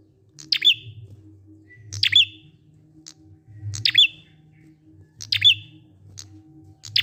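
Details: Prinia lure song in the "ngalun" style, meant to make silent prinias start singing. Each short phrase is a bright, sharply falling chirp with a brief trailing whistle, and it comes about every 1.5 seconds over a soft background hum.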